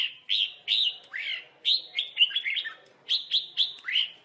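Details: Red-whiskered bulbul, a trapping context with birds fighting, singing in a competitive duel: a lively run of short whistled phrases around mid-high pitch, some notes sliding downward, repeated in quick succession with brief gaps.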